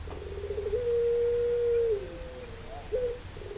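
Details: Puter dove in full voice. A low, pure, sustained coo is held for over a second after a short rolling start. A softer drawn-out note follows, then a brief rolled coo, over quiet background hum.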